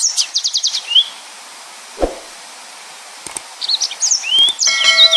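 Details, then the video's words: Yellow-fronted canary singing in the 'nembak' style, dense and lively: a quick burst of rapidly repeated high notes, a pause broken by a dull thump, then high slurred whistles and chattering phrases returning toward the end. "Burung Mozambik Gacor||Suara Nembak Full Rapet"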